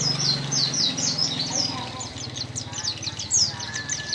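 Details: Energetic white-eye song of the dakun type, high sharp chirped notes tumbling rapidly and unevenly over a steady low hum and background talking.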